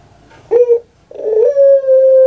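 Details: Kept puter pelung dove from Java, Indonesia, in a small indoor space: a short throaty note, a pause, then a rough onset sliding into a long steady, clear hooting tone that is held to the end.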